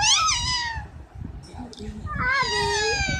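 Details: Pet parrot talking with a child: two loud, harmonic, downward-sliding squawks, one at the start and one near the end, separated by a quieter gap with faint voices and room noise.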